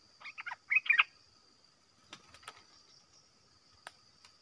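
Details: Red-whiskered bulbul in a cage, singing continuously to provoke territorial wild birds; a fast cluster of five or six warbling, chattering notes, then clicks and rustling over a constant high-pitched hum.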